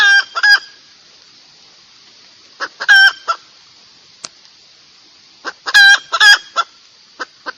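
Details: Red junglefowl crowing: short, clipped, tonal crows repeated a few times, each led by quick clucks, with scattered single clucks between and a faint steady hiss behind.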